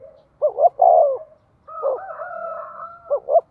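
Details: Decoy spotted dove calling to lure wild doves: short doubled coos, then a long, steady, hollow tone with a second higher line over it, then more paired coos at the end. The background is quiet.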